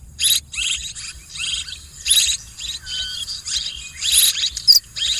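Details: Swiftlets calling as a farming lure: rasping, buzzy chirps in uneven bursts, with a few thin whistled notes between them and a soft low rumble underneath.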